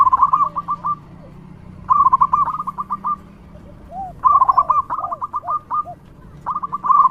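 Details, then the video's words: A loud local zebra dove, its song used as a lure for other doves. It repeats phrases of fast, bubbling staccato coos every couple of seconds, and lower soft coos are heard in between. "Perkutut lokal gacor suara lantang super ampuh untuk pancingan"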